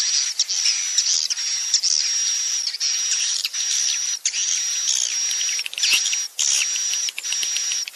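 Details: Lure sound for swiftlets, meant to make young birds feel at home and roost: rapid dense high chirping over an almost constant piercing whistle tone, with short gaps every second or so.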